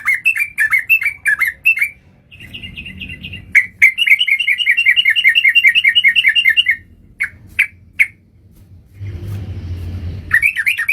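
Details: Sooty-headed bulbul calling as a trapping lure: quick bouncing notes, then a long even run of rapid, regular chattering pulses, followed by scattered single chirps and a burst of low noise near the end.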